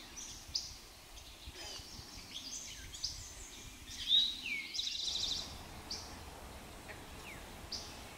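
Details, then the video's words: A male Eastern towhee sings at Pleasant Valley Wildlife Sanctuary in Lenox, Massachusetts, on 26 June 2024. One song gives a sharp high note, a lower slurred note and a quick buzzy trill. Faint chirps from other birds fill the background. "eastern towhee singing"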